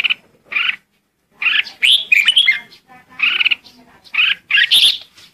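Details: A red-whiskered bulbul sings its lure song to call the flock, short rich chirped phrases separated by brief pauses, with a longer tumbling warble in the middle.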